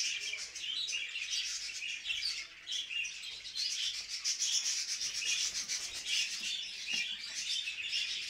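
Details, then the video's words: Budgerigars' mating chatter, a grating, rasping warble mixed with squeaky chirps, continuous throughout. "Muhabbet Kuşları Kızıştırma Sesleri"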